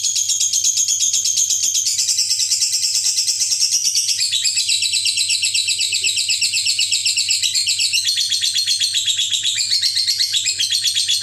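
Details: Parblue lovebird delivering a long ngekek chatter: a continuous rapid, buzzy stream of high notes repeated almost three times a second, shifting pitch in blocks without pause, with a steady low hum underneath.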